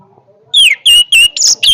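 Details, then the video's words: Orange-headed thrush giving a powerful song phrase: a loud whistle sliding downward, then four strong high notes, some flat and some buzzier, in rapid succession. "kicauan Anis merah yang bertenaga"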